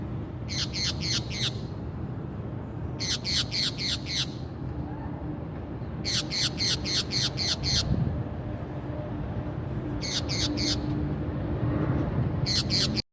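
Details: Brazilian green parakeet, a pet, gives bursts of four to six harsh, shrill screeches, repeated every few seconds.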